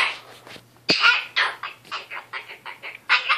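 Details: Goffin's cockatoo kept indoors, chattering before bedtime in its weekly lecture: a sharp click then a string of rapid, scratchy, babbling syllables rising and falling like muffled talk, in a quiet room with low hum.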